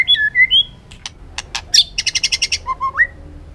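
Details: White-rumped shama giving a many-voiced forest song: clear slurred whistles, sharp ticks, a quick even series of bright chips, then low whistles climbing upward.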